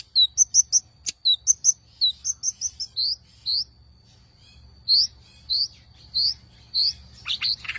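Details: Long-tailed shrike singing a series of short, sharp slurred whistled notes, quick and clustered at first, then spaced about every half second to second, with a faint steady high whine behind.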